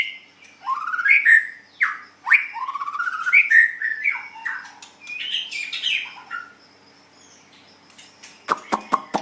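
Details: White-rumped shama, or murai batu, in a song contest: rich rising and falling whistled slurs with buzzy overtones, a quieter stretch, then a quick series of sharp clicks.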